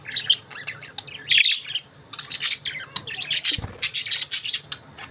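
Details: Budgies chatter almost nonstop, a dense stream of buzzy high chirps and squawky notes tumbling about once a second, with a brief dull thump in the middle.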